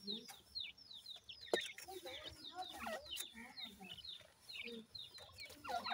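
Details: Several baby francolin (teetar) chicks keep up steady thin peeping, each note a quick falling slur, repeated in overlapping runs with low murmuring clucks between.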